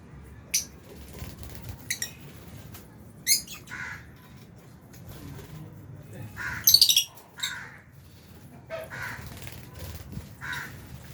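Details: Albino and Fisher's lovebirds eating food in an aviary alongside budgies; irregular bright chirps and shrill squeaks, some in quick clusters, with quiet stretches, light clicks and a low hum underneath.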